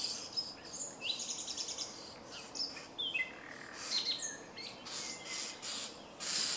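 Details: Starling song from a grove near Jarun in Zagreb, Croatia, recorded 30 April and 2 May 2017: a jumble of buzzy bursts, descending whistles and squeaky notes in irregular phrases against constant background hiss.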